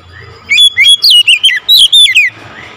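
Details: Oriental magpie-robin calling loudly: a bright run of clear whistled notes that slur up and down, delivered in quick separate syllables over under two seconds, with faint low background hum.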